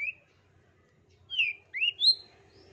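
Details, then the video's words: Long-tailed shrike, audio meant as therapy for a caged shrike reluctant to sing; one short whistle, a pause, then three clear rising whistled notes in quick succession over a faint low hum. "TERAPI CENDET TOED MALAS BUNYI"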